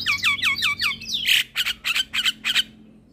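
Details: Male Javan myna in lively, energetic song: a run of five quick downward-slurred whistled notes, then a harsh, squawky phrase of six rasping bursts, each roughly a quarter second apart.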